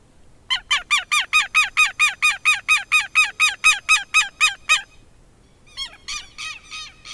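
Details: Southern lapwing in Brazil giving a fast, strident series of harsh, nasal notes, about four per second for four seconds. After a pause comes a fainter, similar burst of notes.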